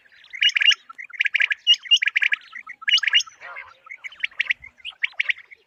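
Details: Common quail calling for morning quail hunting: loud clipped triple-note bursts repeated about once a second, with a few high hooked whistles between them and a short rasp midway.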